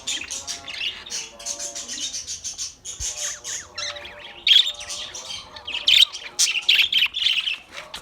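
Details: Australian parrot giving a dense, continuous run of shrill squawky chirps, uneven in rhythm, with louder sharp notes in the second half.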